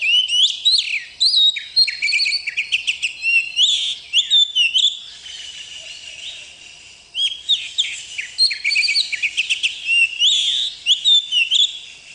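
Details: Captive oriental magpie-robin in full song: rapid, varied high whistled phrases, sharp chirps and warbled notes pouring out almost without pause, dipping briefly before a second vigorous burst.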